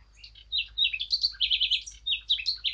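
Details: Eurasian blackcap giving a rapid, bright warbling phrase of quick repeated high notes, rising and falling trills packed closely together for nearly three seconds.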